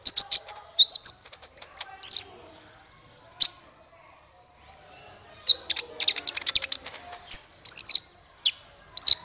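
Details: A male Crescent-chested babbler (Cyanoderma melanothorax) sings in quick, high-pitched bursts of sharp chirps and twittering notes, broken by short pauses.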